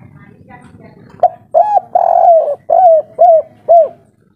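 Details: Local spotted dove of the kuk 3 song style, described as agitated and noisy, giving a series of five or six mellow coos. The first is long and drawn out, the rest are shorter, slurred and falling, about half a second apart, over a low murmur.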